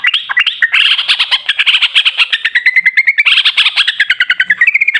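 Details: Loud, fast chattering song of a sooty-headed bulbul, kept as a cage bird and used as a lure to prompt a quiet bird to sing: dense rapid notes in a continuous bubbling stream, gradually descending toward the end.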